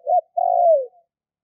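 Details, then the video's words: Spotted dove call used as a hunting lure: a short mellow coo, a brief pause, then a long steady coo that slurs downward at the end. Nothing else is heard. "Chim cu gáy kích bổi nhanh nổi"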